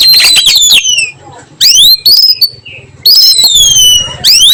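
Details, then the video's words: Kacer, the oriental magpie-robin, in an afternoon nyiul song: loud, clear whistled slurs that rise steeply then fall, delivered in three phrases with short pauses, with brief chattery notes at the start. "KACER NYIUL MERDU SORE HARI"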